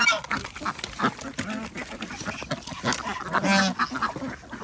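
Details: Ducks calling while being fed on an organic village farm in Andhra Pradesh; scattered rough quacks overlap, with one longer nasal call near the end.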